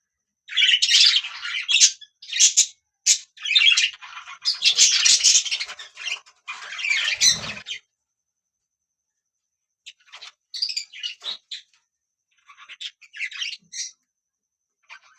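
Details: Budgie chirps in clipped, scratchy bursts during the first half, then only a few fainter, sparse squeaks with long quiet gaps.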